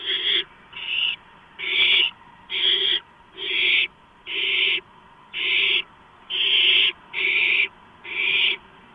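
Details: Barn owl at the nest with a delivered gopher, 11:43 PM, 2 April 2015: about ten harsh, noisy screech-hisses in a steady run, a little over one per second.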